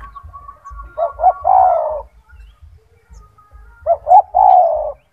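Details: Kept spotted dove, a loud, frequent singer whose big voice serves as a master song for training other doves: two low cooing phrases, each a quick double note followed by a drawn-out descending coo, over a soft low rumble.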